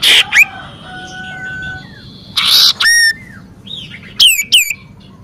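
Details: Common iora song for luring: short noisy bursts, faint level whistles, and several quick steeply falling whistled notes near the end.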